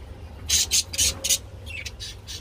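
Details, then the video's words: A budgerigar mating, giving four harsh, scratchy squawks in quick succession, then softer chirps, over a low steady hum. "Parakeets Mating II Budgie Mating and Sounds II Birds Mating Call"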